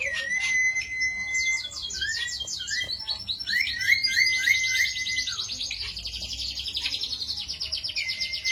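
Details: Continuous high, trilling Cito bird song meant as a lure or master for training songbirds, mixing level whistles, a few quick rising notes and long rapid twittering rattles.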